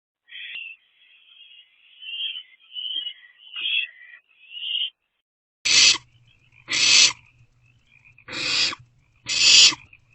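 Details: Barn owlets in a nest box at night, 1:47 to 2:06 am on 27 March 2024, sharing a vole meal: thin whistled chitters at first, then four loud rasping hissing screeches about a second apart.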